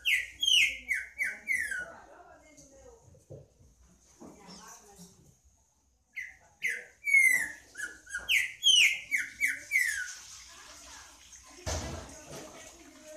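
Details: Green-winged saltator singing two loud phrases of rapid, downward-sliding whistles, separated by a quieter stretch with soft murmurs, and a brief noisy burst near the end.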